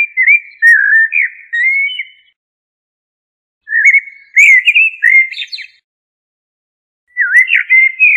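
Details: Common blackbird delivering three fluty, warbling song phrases spaced by pauses of about two seconds. The mellow whistles wander in pitch, with thin, squeaky high notes tacked on near the phrase ends. No other sounds are heard.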